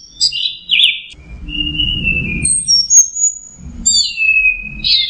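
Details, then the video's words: An orange-headed thrush sings teler style, mixing buzzy descending trills, a long steady whistle and high piping notes over a soft background rumble. "Suara Burung Anis Merah Teler"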